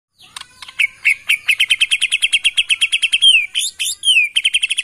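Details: White-rumped shama of Bornean stock, taken from the forests of Kalimantan, singing a fast run of sharp, evenly repeated chipping notes that speeds up, broken near the end by a few slurred whistles.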